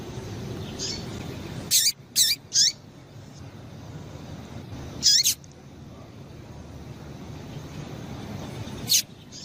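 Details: Female Rusty-collared seedeater calling to make a male sing: a quick run of three high, sharp chirps, then single chirps after pauses of several seconds, each sliding downward at the end, over low steady background noise.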